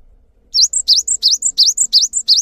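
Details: Cinereous tit (gelatik batu) singing steadily: seven two-part phrases, each a sharp V-shaped note followed by a thin high whistle, about three phrases per second, with a quiet background.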